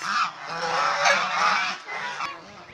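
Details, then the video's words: Domestic Chinese swan goose kept as a pet, seen playing, bathing and fighting; a loud, continuous burst of overlapping brassy honks lasts nearly two seconds, then gives way to quieter, shorter nasal calls. "Domestic Swan Goose, Behaviour, Playing, Bathing, Resting, Fighting"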